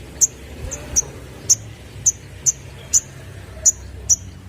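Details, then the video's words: Sunbird lure intended for young sogon birds: eight isolated, very high, sharp chips spaced roughly half a second apart against faint low hum. "Burung Sogon Muda Bakalan Langsung Nyaut Denger Suara Pancingan ini"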